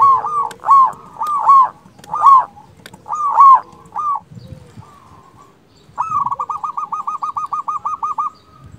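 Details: A zebra dove sings strongly to challenge rivals and raise other birds' drive. Paired ringing coo notes repeat about every second, then a fast even run of a dozen staccato coos follows.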